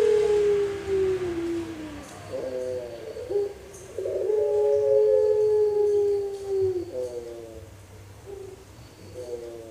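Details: Four-month-old pelung dove in Pakisaji, Malang, practicing a complete song. A long falling tone opens, followed by short stuttering coos. A second drawn-out note glides down, and then brief separated coos fade out.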